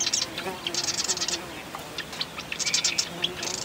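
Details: Marsh wren singing rapid, dry rattles in quick bursts, with scattered sharp chips between them and a low hum in the background.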